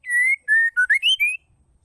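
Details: Female white-rumped shama giving the call that provokes males to sing: six bright whistled notes in under one and a half seconds, a long level whistle, a lower one, then short notes rising in pitch.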